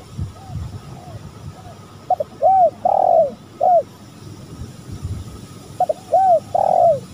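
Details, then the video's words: Spotted dove coos in a lure recording of male and female birds. Two clear phrases, each with short lead-in notes, a drawn-out rolling coo and a brief ending note, over a faint steady background hiss. "Pancingan tekukur gacor"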